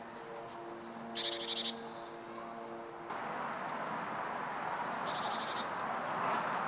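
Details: Japanese tit flitting through park treetops and feeding on food stuck to a tree, 7 February 2013, recorded on a Panasonic LUMIX FZ200: a short burst of rapid, high, thin repeated notes, with low hum and rustling noise.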